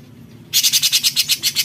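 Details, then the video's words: Cucak cungkok bulbul in besetan style: a single rasping burst of about ten rapid, evenly spaced harsh pulses that starts abruptly after a short quiet pause. "Besetan Cucak Cungkok Gacor"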